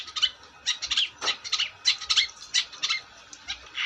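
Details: Long-tailed shrike in full, lively song: a dense run of harsh, scratchy chattering notes, bursts roughly every quarter second, mostly high-pitched, with no other clear sounds.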